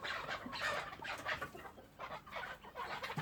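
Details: Kept chukar partridge making harsh clucking calls in rhythmic bursts of about two to three per second, the notes loud and raspy.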